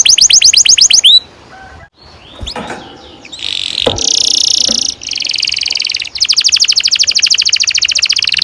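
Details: Canary song with long rolls, intended for training young canaries: rapid high sweeps, a pause with scattered soft notes, then buzzy sustained rolls and a fast repeated trill to finish.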